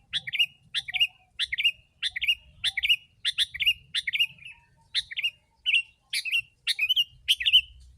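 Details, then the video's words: Vocal sooty-headed bulbul, a lure for wild birds, repeats a bright, bubbly phrase of a sharp rising note and a rolling whistle, more than once a second, continuing steadily throughout. "Kutilang si.ladusing super gacor suara rapat menekan burung liar...."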